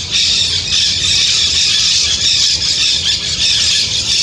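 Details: Loud, continuous shrill squawking from white-winged parakeets in the Brazilian Amazon, harsh high notes overlapping in a steady, noisy chorus with brief pulses of emphasis.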